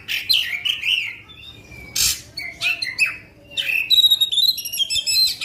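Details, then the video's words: Magpie-robin known locally as kacer in full song meant to excite rival birds: rich whistled phrases alternate with harsh rasping bursts and fast metallic trills, continuous and energetic. "Kacer Faekter tembakan panjang" pendongkrak emosi kacer lain"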